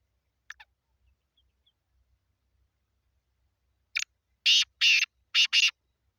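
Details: Calling black francolin from Sindh, Pakistan. After a faint double note and a long pause, a brief scratchy note leads into four strong rasping notes in two close pairs. The background stays very quiet.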